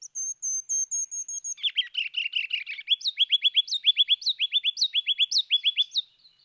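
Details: Male Ruby-crowned Kinglet (Regulus calendula) song: very high, almost inaudibly fast thin notes, then a lower jumbled chatter, ending in loud repeated phrases that bounce up and down like the points of a crown.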